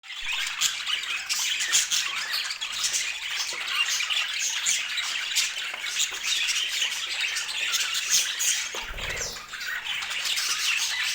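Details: Colourful pet budgerigars chattering together in a dense, continuous stream of high, scratchy chirps and warbles, with one brief low thump near the end.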